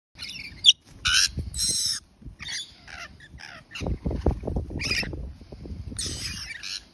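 Several rainbow lorikeets give harsh, screechy bursts and chatter in irregular flurries, with low rumbling background noise throughout.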